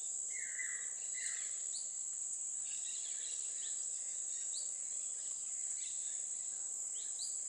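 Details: Black-faced Cotinga on the right bank of the Purus river, Boca do Acre, southwestern Brazilian Amazon, gives two clear, downslurred whistles in quick succession over a steady high insect drone, with faint upslurred notes from other birds.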